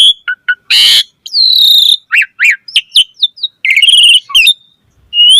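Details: Asian pied starling (jalak suren) pouring out varied song: a harsh buzzy burst, a long steady whistle, a series of short upslurred notes, and a final rising whistle.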